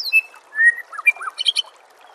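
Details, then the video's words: Master-recording song of a white-rumped shama, meant for training songbirds: quick sequence of clear whistles, a slurred mid-pitched note and a burst of bright high chips, with a constant hiss behind. "Masteran murai"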